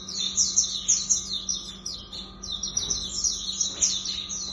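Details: Lemon-bellied white-eye (auriventer) pouring out a lively, very high chattering song of rapid chirps and warbled trills, nearly nonstop, a soft steady hum beneath.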